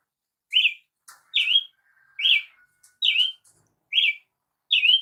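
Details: Brazilian tanager singing six bright, dipping chirps spaced under a second apart, with a soft faint whistle and small clicks in the background.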